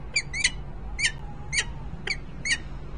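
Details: Peregrine falcon pair, a male banded 38S and a female, in Harrisburg, Pennsylvania, December 2020. Six clipped, rasping notes are spaced about half a second apart. Some are paired, and a faint low hum runs underneath.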